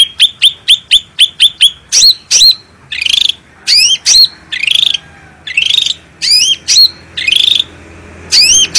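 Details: Vigorous black-headed bulbul song for training birds: a fast string of hooked chirps opens, then slower, spaced rising whistled phrases roughly every half second to second, clear and loud over a faint low hum.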